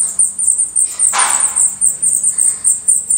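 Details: Continuous stream of shrill, very high calls at a black redstart nest in Portugal, briefly overlaid by a short burst of rustling noise.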